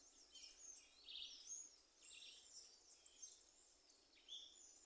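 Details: Birds singing, faint and distant: thin, high chirps and short twittering phrases scattered across the recording, with a quiet background and no low sounds.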